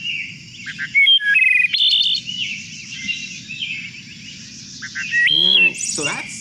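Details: Recorded wood thrush singing two songs at once, each side of its syrinx producing a different one: clear flute-like whistled phrases at shifting pitches, closing with high buzzy trills, with steady low background hum throughout.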